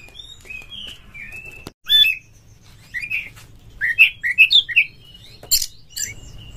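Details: Oriental magpie-robin lure song for kacer in breeding condition: scattered soft whistles and a sharp click, then a clear series of five or six round, slurred notes, and a sharp note at the end over steady hum.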